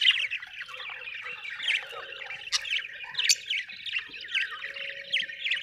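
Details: Budgies chattering nonstop in a rapid stream of rising and falling chirps and squeaky warbles, with sharper squeaks standing out every second or so.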